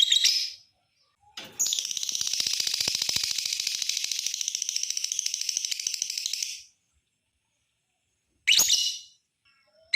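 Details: Lovebird giving a long continuous chatter, used to prompt other lovebirds to sing: a dense, buzzy, rapid trill lasting about five seconds, framed by short sharp high calls before and after.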